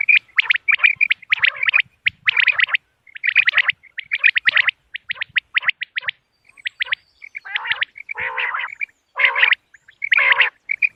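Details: Common quail (Coturnix coturnix), a hunting lure call for moonlit nights, gives sharp, liquid clusters of quick notes about once a second, with thin high whistles between the phrases.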